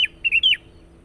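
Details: Sooty-headed bulbul lure song, heard as three clear whistled notes, each slurring downward, in about half a second.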